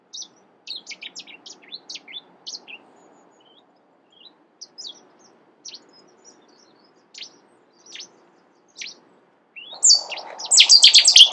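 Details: Cetti's warbler in the UK: scattered thin high chirps and short notes for several seconds, ending in a sudden loud, fast run of repeated notes.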